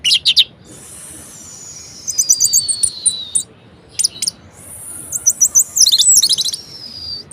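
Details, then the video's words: Caged orange-headed thrush giving a varied song meant to spur lazy birds: long thin high whistles overlaid with rapid sharp repeated chips and short trills. "Anis Merah Gacor Variasi Bangkitkan Emosi Anis Malas Bunyi Agar Rajin Berkicau"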